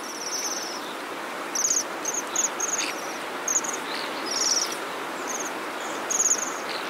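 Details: Bohemian waxwings during a 2012 invasion in Bratislava, Slovakia: thin, very high ringing trills given in short bursts by several birds, over a steady roar of city traffic.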